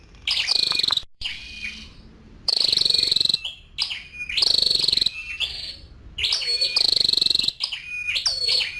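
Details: Female scarlet-backed flowerpecker calling: high, rapid buzzy trills in bursts of about a second, separated by short gaps and thin, wavering lower tones, repeated roughly every two seconds.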